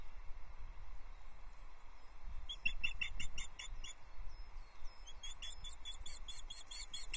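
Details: Female osprey on the nest at Loch Arkaig, 4 April 2024, taking the first fish of the day, a partial brown trout, from the male, heard through a nest livestream camera. High, piercing chirps come in two rapid series over low wind rumble.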